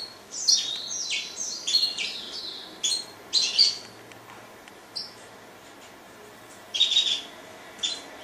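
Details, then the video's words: Grey singing finch singing: bright, high twittering phrases of quick slurred notes in bursts of about a second, broken by short pauses and a longer silent gap midway, then two final bursts; no other clear sounds. "Greysinger singing المغني الافريقي"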